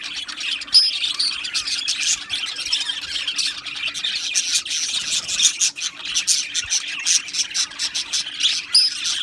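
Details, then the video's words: Australian budgie colony in an aviary, chattering steadily with high squawks and chirps, the overlapping calls rising and falling in short bursts throughout. "Beautiful Australian Budgie birds Chirping Sounds"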